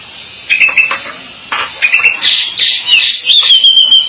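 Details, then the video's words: Pied bushchat in lively, persistent song: short chirps and whistles at first, then a run of high sweeping whistled phrases that rise and fall, over a hissy background. "Burung Decu Gacor"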